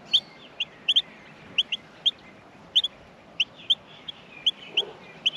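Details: Nestling Australian miners begging for food in the nest: bright, high-pitched chirps, sometimes in quick pairs, repeated steadily about every half second over faint background hiss.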